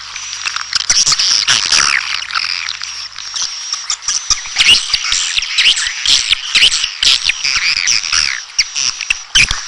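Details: Swiftlets giving dense, high twittering chirps that overlap continuously, mixed with sharp dry clicks and scratchy ticks throughout.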